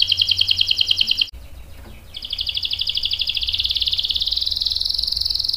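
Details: Canary singing loudly in long rolls, used as a lure to get other canaries to reply: a rapid high trill, a short break, then a long, even rolling trill that rises slightly and stays unbroken for over three seconds.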